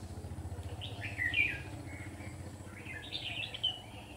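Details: Decoy red-whiskered bulbul singing from a trap to attract wild birds: two bursts of quick, slurred warbling notes separated by a brief gap, with a low rumbling engine hum underneath.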